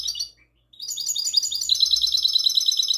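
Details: A goldfinch hybrid sings classic song, taped on the night of 22 March 2020. A short twittering phrase and a brief pause lead into a dense, loud, high trill of rapidly repeated buzzy notes that carries through to the end.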